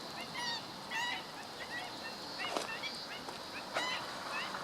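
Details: Black-winged stilt, recorded on 17 August 2013: repeated short, nasal, yelping calls in quick, uneven series, partly overlapping as if from several birds, set against a steady hissing background with a few sharp clicks.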